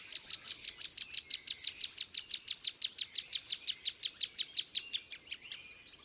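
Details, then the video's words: Common thornbird giving contact calls and song when communicating with its mate: a long, steady series of sharp, high chips, about five a second, slowing and fading slightly at the end. "There is the typical contact calls and songs of the common thornbird when communicating with its mate."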